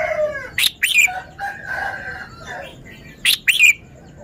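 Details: Red-whiskered bulbul showing its song phrasing: two bursts of quick, bright three-note whistled phrases, rising then dropping, with a rooster's long harmonic crow in between.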